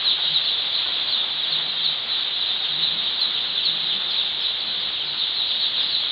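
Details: First day of brooding for just-hatched baby chickens at a poultry farm; a crowded flock gives constant high, shrill peeps, some separate chirps standing out above the dense chorus.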